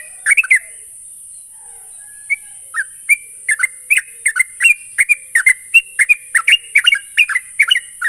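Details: Sooty-headed bulbul (trucuk) played as a lure to get birds singing quickly and continuously: after a sparse start, short liquid, slurred whistled notes tumble in a fast, uneven chatter, about two to three a second, over a steady high hiss.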